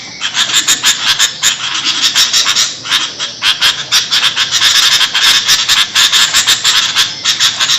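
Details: Sooty-headed bulbul making a noisy racket used for luring birds; dense, rasping chatter notes pour out almost continuously and grow louder toward the end.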